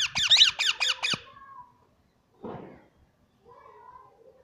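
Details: Pet plum-headed parakeet giving a burst of five rapid, shrill squawking notes. A soft tonal note follows, then a brief rasp and faint warbling, all recorded indoors.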